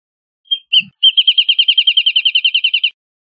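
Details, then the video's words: Wrentit singing: a couple of brief opening notes followed by a steady run of about eighteen quick, bouncy chipping notes at one pitch, with clean quiet surroundings. "Wrentit Singing! Wrentit Calling! Wrentit Chirping! Wrentit Sound!"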